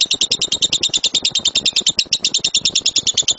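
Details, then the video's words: Lovebird delivering the rapid-fire 'tembakan' song used as a master recording to train birds to sing: a steady machine-gun run of shrill, even chirps throughout, with faint low thumping underneath. "LOVEBIRD SUARA GEMURUH TEMBAKAN BURUNG LOVEBIRD"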